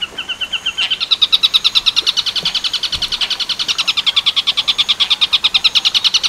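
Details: Long-tailed shrike song in the buto werkudoro style, recorded as a master for training other birds: a short steady whistle, then a long rapid pulsed rattle of high harsh notes, about three per second, loud and clear.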